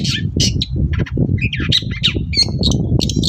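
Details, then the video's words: Long-tailed shrike in lively morning song, a lure for other shrikes to reply: quick harsh squawks and scratchy whistled notes packed closely together, over a steady low-pitched rumble. "BURUNG CENDET GACOR PAGI HARI BIKIN CENDET MANAPUN LANGSUNG NYAUT"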